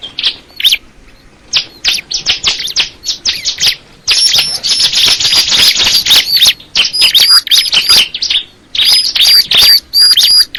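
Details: Crystal ciblek (bar-winged prinia) starting with spaced, sharp high chips, then breaking into a long, dense, buzzy chatter laced with thin, very high whistles, repeated in quick bursts.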